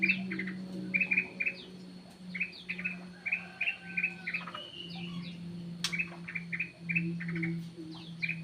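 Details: Kutilang emas, or ruby-throated bulbul, calling as a lure: short bright notes repeated in quick clusters about every second over a steady low electrical hum. There is one sharp click near six seconds.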